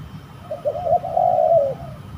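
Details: A single spotted dove phrase recorded while the bird fights during a trapping outing: two quick soft notes rolling into one long, wavering, descending coo.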